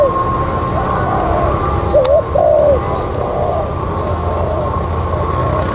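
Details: A spotted dove used as a decoy, recorded around 6:15 at An Phú, gives one soft, low, wavering coo phrase midway, over a steady background hum with faint high chirps about once a second.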